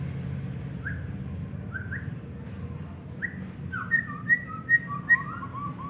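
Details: Champion contest white-rumped shama: spaced, soft rising whistles, then a quicker series of bright, sharp whistled notes with lower slurred phrases beneath, against constant low hum.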